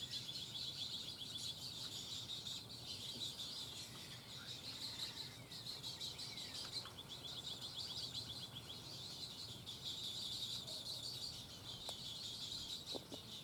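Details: Three Little Blue Heron siblings in southwest Florida on 17 May 2020 beg as their parent arrives to feed them, a steady rapid high ticking chatter without pause, plus a few sharper clicks near the end.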